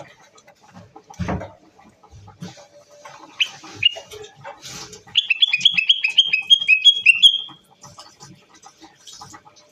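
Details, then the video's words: A Common Bulbul (Moroccan bulbul) sings a quick run of about eight bright, bouncing whistled notes after a few scattered chirps, with a dull thump near the start. "طائر البلبل المغربي"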